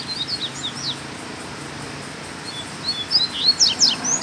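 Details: Black Double-collared Seedeater singing free outside a cage, taped on a Sunday return home: brief high twittering notes, a pause, then a louder rush of sharp descending chirps and whistles toward the end, over light background noise.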